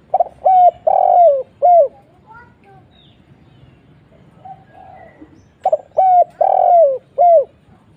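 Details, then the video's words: Spotted dove call used as a lure to draw replies from other doves: two phrases of low, hollow coos, each a short stutter, a long drawn note sliding downward and a final clipped coo, separated by a quiet pause with faint distant cooing. "SEMUA LANGSUNG NYAUT..!!! suara burung tekukur kuk 1"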